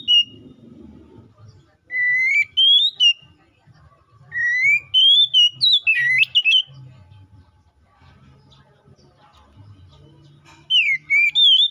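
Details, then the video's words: White-rumped shama (kacer) in ngeplong song meant to lure another shama into singing: bursts of loud whistled notes with rising slides and sharp twists, separated by quieter stretches with faint low background noise. "KACER GACOR NGEPLONG❗MEMANGIL LAWAN PALING AMPUH BUAT PANCINGAN KACER BIAR CEPET GACOR!"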